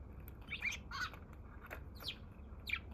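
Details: Eurasian tree sparrow, a wild bird in Japan on 27 March, the day's first visitor until it flew away; slow-motion footage; a few harsh, squawky chirps spaced about half a second apart against low hum.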